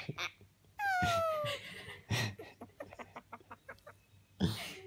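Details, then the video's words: Twelve-year-old male Senegal parrot kept as a pet sighing indoors for attention, wanting something he can't have: after a short noise, a clear downward-gliding whistled note, followed by breathy bursts and a string of soft ticking sounds. "Parrot sighs to get attention"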